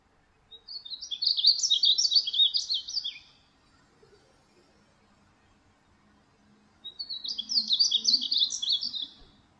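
Painted Bunting gives two bright, high, rapid warbling phrases of about two and a half seconds each, separated by a few seconds of near quiet.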